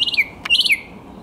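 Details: Thrush nightingale song from 10 May 2021: two loud buzzy phrases, each sliding downward, separated by a brief sharp click.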